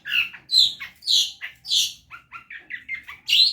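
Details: Long-tailed shrike singing hard on a bird-training recording: loud, harsh, squawking notes alternate with lower, shorter calls in a choppy, uneven rhythm.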